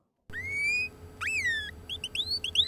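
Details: Canary song played to show how the song deforms as the singing bird is cooled: a long, slowly rising whistle, a sharp downslurred note, then a quick run of short, high, repeated syllables climbing in pitch.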